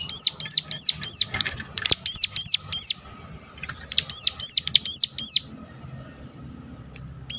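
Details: Sharp lure call of the ciblek gunung, or Sunda warbler, used to coax others to sing: two bursts of high, arched chirps, about three a second, split by a brief noisy pause and a quiet stretch.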